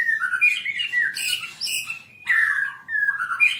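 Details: Captive-bird training recording of white-rumped shama song: rich whistled phrases sliding up and down, with squawky bursts, in three loud bursts separated by brief dips.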